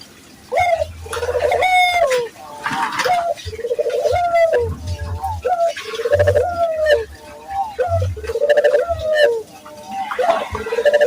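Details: Barbary dove repeatedly cooing, played to train local doves to coo often. Rhythmic phrases about every two seconds, each a brief rising note and a rolling, level purr. A low electrical hum runs beneath.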